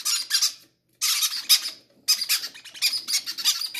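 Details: Greedy baby parrots begging to eat first, indoors; harsh, raspy, wavering squawks in almost continuous bursts with one short pause.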